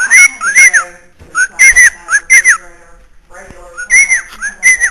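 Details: Indoor pet bird in Illinois giving repeated whistled phrases, short bright notes swooping up then down, grouped in threes and fours with short gaps, loud and close in a small room.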